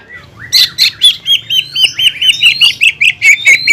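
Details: Champion-class cucak ijo (greater green leafbird) firing harsh shots in tutor song: after soft twittering, loud sharp notes repeat rapidly and fairly evenly, each a short down-slurred chip.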